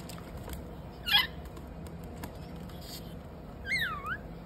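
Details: A pet lorikeet playing with its bathtub gives one short harsh screech, then a few seconds later a bending, wavering whistle, over a steady background hiss.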